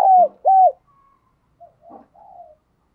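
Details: Decoy spotted dove calling loudly to draw in other doves: a pair of full, low coos, each bending downward at the end, followed by brief quieter notes and soft murmurs.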